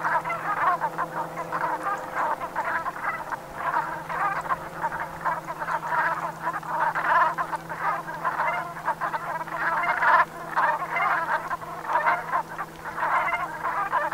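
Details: A flock of Brent geese in the Gulf of Morbihan, Brittany, at sunset on 7 November 2021 in autumn, keeps up a dense, continuous chatter of low, rolling, guttural croaks, many birds overlapping, over a faint steady hum.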